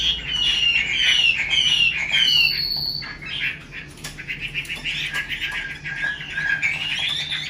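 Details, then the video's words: Caged female Chinese hwamei used to rouse males, calling: a series of clear downslurred whistles, then a busy stretch of warbled, chattering notes. "Họa mi mái xùy tốt, Te dụ rất hay. Vực lửa cho trống"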